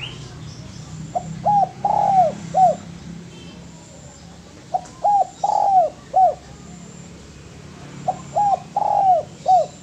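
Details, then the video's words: Spotted dove song from a master recording for training birds. Three similar phrases of soft, low coos, each with a longer central note, are spaced about three seconds apart. "MASTERAN DERUK YANG PALING DI CARI BANYAK ORANG"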